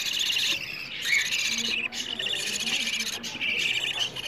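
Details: Hungry budgerigar chicks begging, played to stimulate breeding in budgies: steady harsh, nasal high-pitched rasping calls in long overlapping phrases, broken by a few short pauses.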